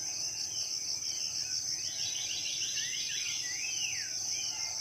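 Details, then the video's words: Birds calling in the morning in a tropical rainforest in Southeast Sulawesi: quick chirps and a falling, sweeping whistle overlap. A steady high insect drone runs throughout. "Merdu suara burung dipagi hari ditengah hutan"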